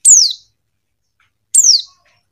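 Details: Two thin, very high notes slide sharply downward, about a second and a half apart, from a female Buxton's white-eye calling to a male. The call is meant as a lure to prompt males to answer and sing quickly, as in the wild.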